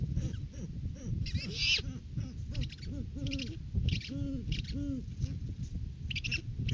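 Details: At a nest tree in courting season, January, a male great horned owl brings a rodent food gift with the female close behind; low hoots repeat irregularly between harsh rustling bursts and scuffling noises on a live cam.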